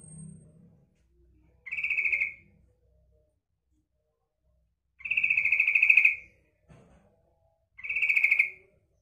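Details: Calling female yellow-vented bulbul, used to attract males: three rasping, pulsed chatters of under a second to over a second, irregularly spaced, with a faint low rumble at the start.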